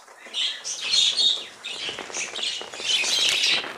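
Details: Tame budgerigars in a village colony. Many birds chirp and warble at once in a dense, high-pitched chatter that swells and fades, with soft wing flutters mixed in.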